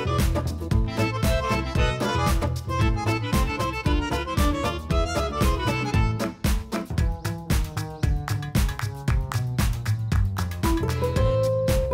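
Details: Lively instrumental music with fiddle and a steady beat; no animal calls are heard.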